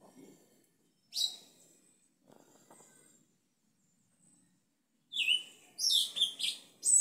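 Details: Song of a Sabiá-preto (Yellow-legged Thrush) in a home backyard in Itaqui, Guaraqueçaba: one sharp high note, a long pause, then a burst of several bright, high, slurred whistles near the end.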